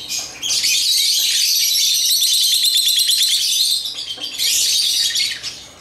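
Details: Playful African lovebirds making a long, rapid trill-like stream of sharp, pulsed high chirps, repeated about three times a second, then a short pause and a final burst.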